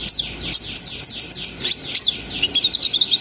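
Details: Brown-throated sunbird singing vigorously in a continuous ngriwik ngerol sambung nembak style, played to raise breeding arousal in untrained birds; rapid high, thin chirps and sharp downslurred notes tumble about four per second, with no other sounds.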